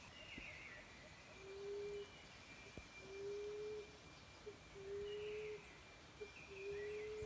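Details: Common emerald dove call played from a Bluetooth speaker to lure doves to a cage trap: low, soft, steady hoots, each under a second, repeated about every one and a half seconds; faint higher chirps in the background.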